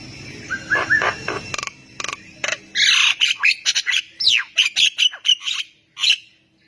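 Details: Javan myna singing energetically so that other mynas respond; a fast run of harsh, squawky, chattering notes, a few short whistled notes at the start, then a dense burst of scratchy calls.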